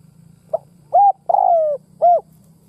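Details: Spotted dove, a kept lure bird used to provoke rivals, giving one cooing phrase: a short soft note, then a clipped coo, a long falling drawn-out coo and a final rounded coo, over a low steady hum.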